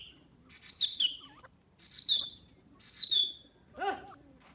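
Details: Francolin feeding on grains, giving three shrill, sharply descending call phrases of rapid stuttering notes, each about half a second long, followed by a rougher lower note and a sudden click.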